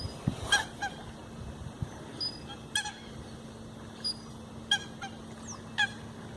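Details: Eurasian coots in groups preening on a pond in the Eijsder Beemden nature reserve, Limburg, Netherlands, on a morning in October; short sharp calls with bright overtones sound every half second to second, over a low steady hum.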